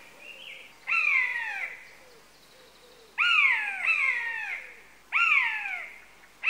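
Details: Buzzard calling four times: loud, drawn-out mewing cries, each starting high then sliding down in pitch, roughly every second to two seconds, with quiet pauses between.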